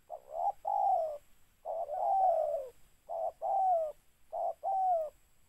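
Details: Spotted dove cooing during mikat trapping: paired notes, a brief lead note then a drawn-out falling coo, three phrases spaced about every one and a half seconds, clear and loud against near silence.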